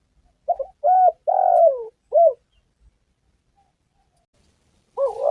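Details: Spotted dove (tekukur) calling, played as a lure for trapping and hunting: a low, mellow phrase of four soft coos, the third drawn out and falling. A fresh coo begins after a silent pause.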